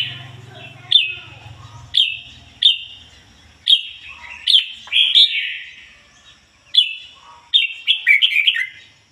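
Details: Decoy red-whiskered bulbul singing in the ngoi bổi style with a standard, unmixed voice: short bright whistled phrases repeated about once a second, each starting with a sharp upward note then trailing off, some ending in quick warbled flourishes.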